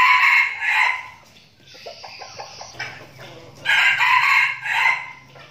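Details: Decoy red junglefowl from a training flock in Binh Phuoc, Vietnam, crowing twice: a strident crow at the start, then quiet clucking and a low hum, then a second drawn-out crow near the end.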